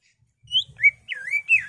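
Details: Greater green leafbird (cucak ijo) singing agitated 'gacor emosi' song with 'ngentrok' fills, used as a lure to provoke caged birds: four clear whistled notes, the first high and rising, then a looping, wavering phrase; faint low rumble beneath.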